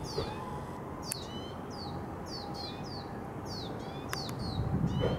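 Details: Two young lesser goldfinch fledglings begging from their parent and being fed: thin, high, down-slurred notes, several a second, over a steady low rumble.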